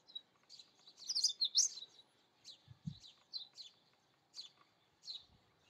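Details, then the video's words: Indian robin singing: short high chirped notes repeated roughly every half second, with a brief louder twittering flourish early on and a faint low thud in the background. "Indian Robin Song / Indian Robin Sounds / Indian Robin Call / Indian robin Vocals - Voice - Chirping"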